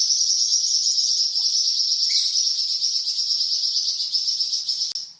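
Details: Varied song of a Flamboyan bird, recorded for training cucak ijo and magpie robin: one unbroken, very high, even rattling trill held for about five seconds.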